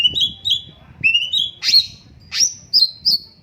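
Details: Cucak cungkok bird singing with pauses: thin, high whistled notes that slide upward, then sharp downslurred squeaky notes repeated at short intervals, with a faint low rustling underneath.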